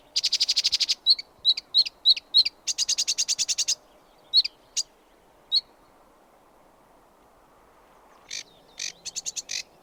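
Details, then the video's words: Sedge warbler singing in bursts: rapid dry rattles, short sharp chips and clicks, a buzzy trill, then a pause before further scratchy rattled phrases; quiet background. "Sedge Warbler Chirping"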